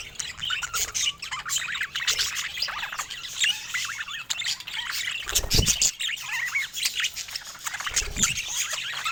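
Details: Pet budgerigars in busy group chatter, a steady mix of warbling, chirps and harsh squawks, with a few brief broadband clatters mid-clip.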